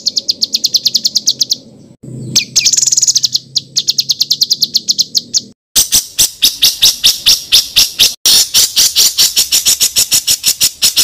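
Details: Songbird master recording with rough rolling song, used to teach contest birds: edited segments of rapid high trills, a harsh burst near two seconds, then dense fast-pulsed rattling phrases after short cuts, with low background rumble.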